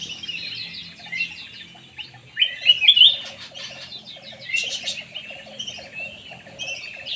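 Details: Black-naped oriole used as a lure call. Dense high twittering builds to a loud cluster of sharp, swooping notes midway, while a lower rhythmic pulsing chatter continues underneath.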